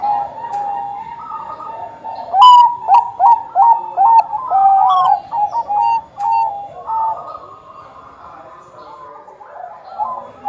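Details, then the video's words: Bangkok-type zebra dove singing prolifically, played as a lure to get other doves to sing: a burst of rapid, bubbling coo notes in the middle, then softer trailing coos over a steady background hum. "perkutut bangkok gacor"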